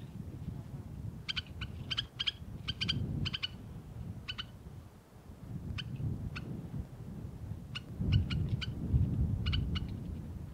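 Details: White-winged snowfinch calling: short, dry, stacked chirps given in quick clusters of two to five notes, with pauses between clusters, over a steady low rumble of wind or background noise.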